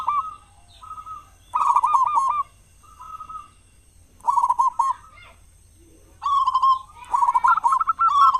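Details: Loud local zebra dove singing as a lure for other doves; short soft coos lead into rapid bubbling coo runs, three bursts with quiet pauses between.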